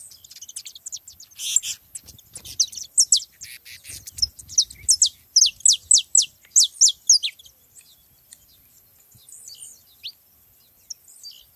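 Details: Free-flying saffron finches in a lively group. A dense burst of high, crisp chirps and downslurred notes comes in quick succession, then fades to scattered faint calls. Faint low rustling underneath.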